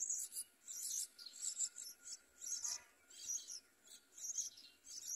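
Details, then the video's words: Yellow bulbul at the nest as a parent brings food to feed its babies; high, thin chirping bursts come in quick clusters about every half second to a second, fairly loud and sharp, over a quiet background. "Yellow bulbul brings food to feed babies"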